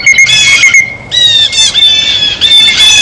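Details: Blue jay eating at a feeder, harsh raspy squawks, one short call then a long run of rapid rough calls after a brief pause, over a faint sustained high tone.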